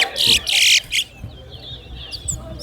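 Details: Large-billed Seed-Finch (towa towa) singing at a bird-singing competition at Lusignan bird ground: a loud, bright burst of rapid high twittering notes lasting about a second, then quiet, leaving faint distant chirps.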